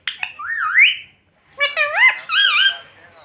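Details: Talking pet ringneck parrot saying "mummy": two drawn-out, wobbling, nasal phrases that rise and dip in pitch, separated by a short pause, in a quiet room.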